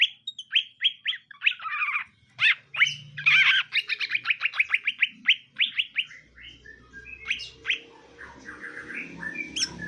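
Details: Greater green leafbird pair in cages, a male and a female being matched; steady runs of quick rising chirps, thickening into a busy chatter midway, then fading into scattered notes and background noise.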